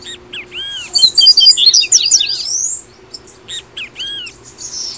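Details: Double-collared seedeater, Brazil, tui tui song style used as an incentive for caged birds: a loud tumbling trill of high twittering notes, then softer looping whistles repeated after a pause, steady low hum behind.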